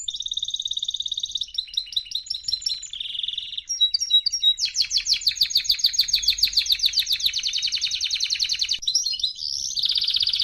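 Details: Canary song meant to teach young canaries: continuous varied phrases of high trills, quick chirped notes and long rapid rolling tours, changing pattern every second or two, clean with no background noise.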